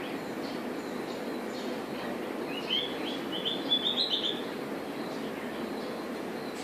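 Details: White-rumped shama giving one short warbled phrase of quick rising and falling notes, high-pitched and bright, lasting under two seconds over a steady background hiss.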